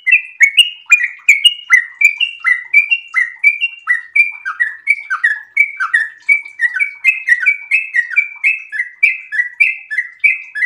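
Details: Sooty-headed bulbul in breeding condition, in sustained rapid 'ropel' singing: bright chirping phrases, each note sliding down then up, running evenly for over ten seconds.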